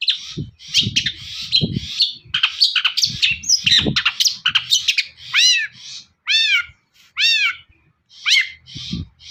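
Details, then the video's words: Varied chattering song of a long-tailed shrike, sung as a lure to get other shrikes singing, with harsh squawky phrases and then several loud arched, rising-and-falling whistles, plus low knocking sounds. "CENDET GACOR SUARA AMPUH..! pancingan burung cendet paling dicari"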